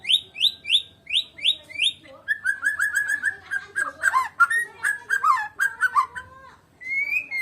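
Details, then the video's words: Medan-type white-rumped shama in full song with no rival: six ringing rising notes, then a long, rapid, varied tumble of warbled whistles, ending on a single drawn-out whistle. "KICAUAN BURUNG MURAI BATU MEDAN TANPA LAWAN"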